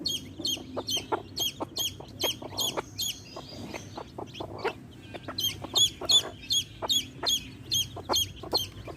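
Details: Baby chicks chirping near a hen: rapid high descending cheeps in two bursts separated by a brief lull, accompanied by clicks and pecking taps.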